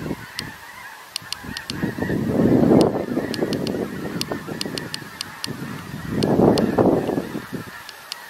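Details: A huge gathering of snow geese, November 17, producing continuous overlapping honking with two loud surges of massed calls, early and near the end, and frequent sharp clicks over the din.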